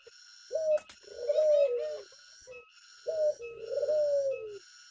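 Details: Tame dove calling in the open air: two soft, low cooing phrases, each a short note followed by a longer wavering coo that rises then falls, with steady high tonal hum lines running throughout.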